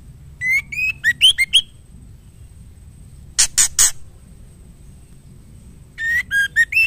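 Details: Female white-rumped shama (murai batu) calling the male: short rising whistled notes with harmonics in a quick run, then three harsh raspy bursts, then another run of whistled notes; low hum underneath.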